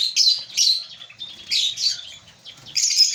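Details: African lovebirds at a breeding colony giving short, shrill squeaky chirp phrases roughly every half second, with brief quiet gaps between bursts.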